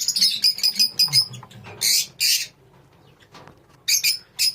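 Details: Chattering from a lovebird colony: quick high chirps at first, then two loud harsh squawks, a quiet stretch, and more sharp screeches at the close.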